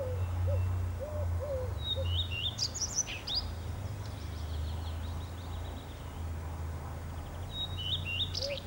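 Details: Male common redstart singing at Lipka, Wielkopolska: short high phrases opening with clear whistles and breaking into a quick, sliding, slightly buzzy warble, repeated twice. Another bird gives low, soft hooped notes, over steady low rumbling background noise.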